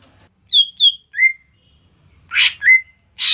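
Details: Greater green leafbird song recorded on a Sony A6400 camera, used as a lure to prompt other birds to sing: two high whistled notes, a lower rising whistle, then harsher buzzy bursts and a final clear whistle, over a steady high hiss.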